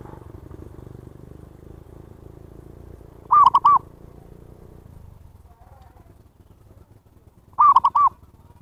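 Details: Zebra dove call used to lure wild birds, two phrases of three to four fast, ringing coos about four seconds apart, set against a constant low droning background noise.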